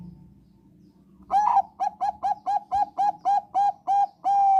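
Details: Bangkok-type zebra dove singing, offered as a lure for all zebra doves, both crossbred and Bangkok lines: a quick run of about eleven clear, mellow cooing notes, roughly four each second, the last one drawn out longer, over a faint low hum.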